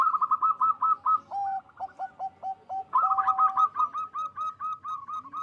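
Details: Local zebra dove in loud full song, meant to raise mating drive; quick run of clipped cooing notes, a lower stepped phrase, then another fast rattling series of short coos ending evenly spaced.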